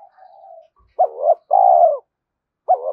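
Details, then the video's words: Spotted dove cooing as a fast decoy call to provoke wild doves: a soft low coo, then a short rising note and a longer steady hooting coo, another phrase starting at the end. "Tiếng cu gáy thúc gù tốc độ/ cu gay kich boi nhanh noi gù"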